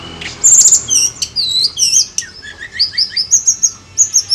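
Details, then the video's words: Tledekan gunung bird song used as a lure recording: lively high chirps and sweeping whistled notes, some trilled, tumbling rapidly one after another with short pauses, bright and clear over a quiet background. "PANCINGAN TLEDEKAN GUNUNG FULL GACOR"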